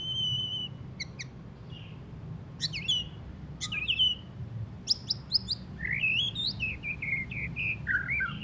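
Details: Post-moult white-rumped shama singing still-rough twitters: sharp clipped notes and slurred whistles at first, then a longer run of rising and falling whistled phrases that grows busier toward the end.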